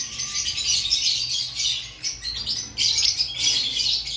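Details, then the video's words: Lovebirds in an aviary before breeding season give a steady wash of thin, sharp chirps and squeaks, with a louder burst toward the end. "Before breeding season Check your love Bird activity"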